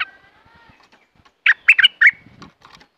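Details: Caged red-whiskered bulbul singing in the Thai 'dok taeng' song style: a quick burst of four or five rich, bubbly whistled notes in about three-quarters of a second, after a faint drawn-out whistle at the start.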